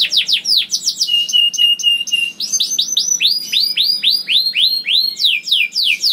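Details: Young canary (kenari paud) singing to stimulate other canaries: quick sweeping chirps, a short run of level whistled notes, then a series of loud looping upslurred notes about four per second.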